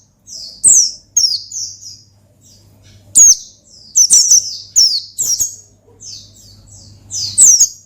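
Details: Oriental white-eye singing in a bold ngalas style meant to call and provoke a rival: very high sweet chirping phrases in quick descending bursts, separated by short pauses, over a steady low electrical hum.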